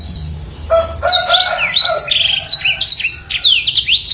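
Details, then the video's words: Black-throated canary sings a rapid, unbroken run of high, sweet downslurred whistles and chips, with a few lower whistled notes mixed in near the start. "BLACKTRHOAT SUPER GACOR MASTERAN"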